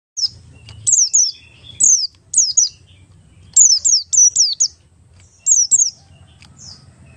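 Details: Oriental white-eye of the buxtoni form singing in ngalas style, used as a lure to get other white-eyes singing quickly: high, thin whistled notes sliding steeply downward, often in quick pairs or triplets, with pauses between bursts and a faint low hum.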